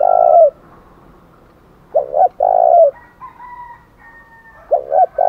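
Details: Spotted dove's fighting challenge coo in the 'thổ đồng' voice. A long coo tail is followed by a full phrase of two short notes and a drawn-out coo, and a new phrase begins near the end. A faint, higher wavering call sounds between the phrases.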